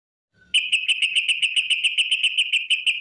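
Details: Sooty-headed bulbul giving a long ropel song, a lure meant to make other bulbuls sing. After a brief faint note, one fast, even trill of sharp high notes runs without a break, about four notes per second.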